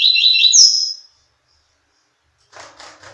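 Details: Free-flying male Double-collared seedeater singing to a female in courtship: a loud, fast high warbled phrase of about one second, then silence, then a few faint broadband noisy bursts.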